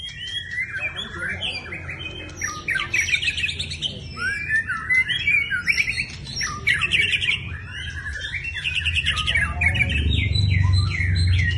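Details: White-rumped shama in full song: rapid, varied bursts of chattering trills, buzzy notes and clear whistles, delivered in quick phrases, over a steady low rumbling background that grows louder toward the end.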